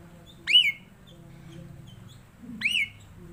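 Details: Black-collared starling giving two loud whistled notes about two seconds apart, each sweeping up then curving down with rich harmonics, over a faint low hum.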